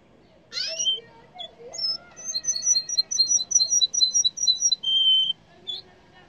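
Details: Yellow canary song: a harsh opening note, then an even string of paired high chips repeated about five per second, ending in a long flat whistle and a final short note.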